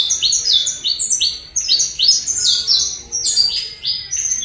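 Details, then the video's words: Colombian saffron finch giving its song: a steady sequence of loud, high, downward-sliding chips repeated several times per second, crisp and energetic. "Canto canário da Terra Colômbia"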